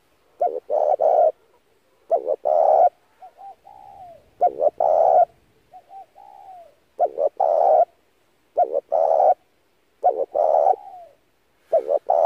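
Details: Spotted dove used to lure doves into traps, cooing steadily: repeated phrases of quick double coos and a longer coo, separated by soft downslurred notes, in a long regular series.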